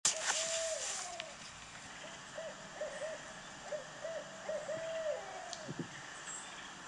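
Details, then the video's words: A barred owl recorded at The Nature Institute, Godfrey, Illinois, on 12/6/23 gives mellow, rhythmic hoots, a quick run of short notes and a long drawn hoot that slurs downward, over a steady background hiss. "Barred Owl Recording"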